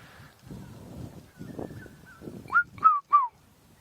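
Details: Red-chested cuckoo (Cuculus solitarius) calling from a distance in African bush near sunset, 19 January 2017: three loud whistled notes, each sliding downward, in quick succession, after soft rustling and faint background bird whistles.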